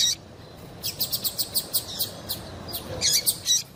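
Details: Female double-collared seedeater call meant to make the male sing: a steady run of about ten evenly spaced high ticks, then a louder cluster of bright, bending chirps.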